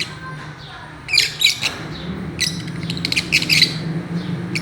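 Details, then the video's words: Fischer's lovebirds playing and swinging on a swing give sharp, shrill chirps in two bursts, the first near the start and a denser cluster later, over a steady low hum. "Parrots playing and chirping"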